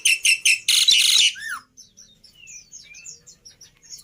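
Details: Black-winged myna singing as a training lure and tutor track, with loud harsh buzzy bursts, then a downslurred whistle and a string of soft high thin whistles.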